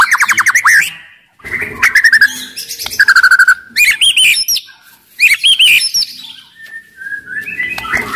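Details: Agile, loud-voiced white-rumped shama, played to goad sluggish shamas into singing and fighting: quick rising whistled notes in rapid series, buzzy high trills and bright slurred phrases, with short breaks between the bursts.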